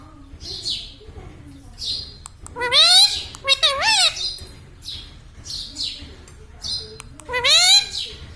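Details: Indian ringneck parakeet, a talking household pet, laughing: several quick hissy chirps, then a run of loud, quavering harmonic notes that climb and dip, and a final similar burst near the end.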